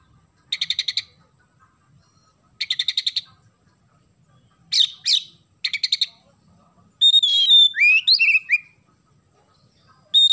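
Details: Loud, clear song of an Oriental magpie-robin with sparrow imitations (isian gereja): quick bursts of rapid chattering chirps repeated every two seconds, rasping notes, then bright whistled phrases sliding up and down, in a quiet setting.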